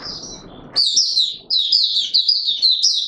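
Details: Oriental white-eye in courtship mode, a caged songbird; rapid high twittering phrases of slurred, warbled notes run continuously after a short stretch of low background noise.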